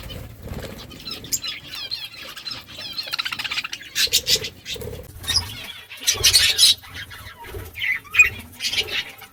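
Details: Budgerigars eating green food give wavering, buzzy warbles and scattered squeaky chirps between quiet stretches, with wing flapping and soft low thuds around them.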